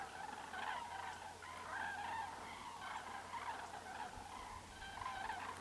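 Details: Common crane flock heard at moderate distance, a busy overlapping chorus of harmonic trumpeting calls with no clear gaps, over a faint low background hum.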